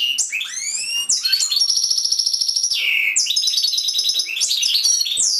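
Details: Caged European goldfinch delivering a busy song of fast upward-slurred whistles, a long stretch of rapid evenly repeated ticking notes, a nasal buzz, then more tinkling twitters.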